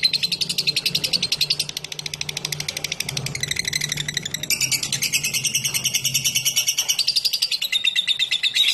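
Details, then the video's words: A long 'ngekek' trill from a lovebird, meant to coax other lovebirds into joining: a dense, buzzy, rapidly pulsing chatter held without a break for nearly nine seconds, its pitch wavering up and down, with a soft low hum beneath. "Suara Burung LoveBird Ngetik Ngekek Panjang Terbukti Ampuh Pemancing Love Bird langsung Ikut Ngekek"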